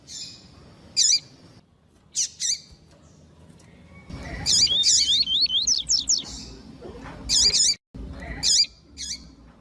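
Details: Female Double-collared seedeater calls meant to stimulate males: scattered short high chips, then a busy burst of wavy whistled slurs and repeated piercing notes, with a brief silent gap near the end.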